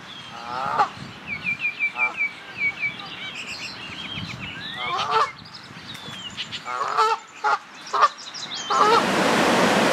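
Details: Canada geese at the Charles River, Watertown, Massachusetts, on May 20, 2016, in spring: a run of nasal, mid-pitched honks in quick bursts, then scattered, over busy songbird chirping. A rush of noise closes the recording.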